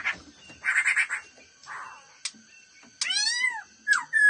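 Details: Black-throated laughingthrush (khướu bạc má) in "giọng mau mỏ" quick-beaked song: a burst of rapid harsh chattering notes, then a loud, rich, downward-sweeping harmonic phrase and a final rising whistle.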